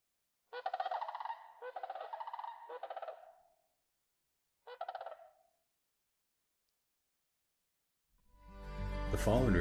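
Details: Sandhill cranes passing overhead on southward migration in Yellowstone National Park: three rolling, rattling bugled calls in quick succession, a pause, then one more, before music swells in at the end.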